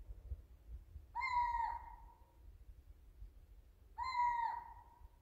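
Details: Eurasian scops owl (Otus scops) calling at night, recorded by smartphone: two short, mellow whistled notes of about half a second each, spaced roughly three seconds apart, over a faint low rumble.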